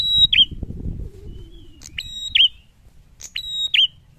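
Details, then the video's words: Loud prinia song with a challenging tone: three phrases, each a level piercing whistle ending in a down-curling flick, after a brief low rumble at the start. "SUARA PRENJAK GACOR LANTANG MENANTANG"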